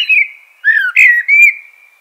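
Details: Short burst of Eurasian blackbird song: a few clear, fluted whistles sliding gently downward, then a level, fading whistle.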